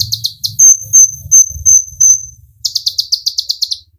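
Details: Olive-backed sunbird (kolibri ninja) used to provoke singing: a string of thin steady whistles over soft low rumbling, then a rapid descending run of high chips.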